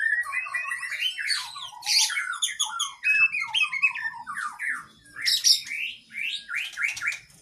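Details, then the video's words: Oriental magpie-robin (kacer) cage-bird training song: a busy run of short slurred whistles and squeaky chirps, repeated in quick series, with a brief harsh high burst near the end. "Masteran Burung kacer Gacor isian Panjang"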